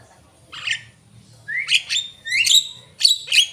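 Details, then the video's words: Javan myna giving a few spaced song phrases: a harsh squawk, then rising whistled notes and rasping bursts, each roughly half a second long. "jalak kebo gacor"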